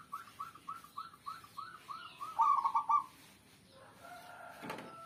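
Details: Zebra dove cooing: a soft series of about nine evenly spaced, rolling mid-pitched notes that speed up and end in a louder burbling trill, followed by faint background noise and a brief rustle.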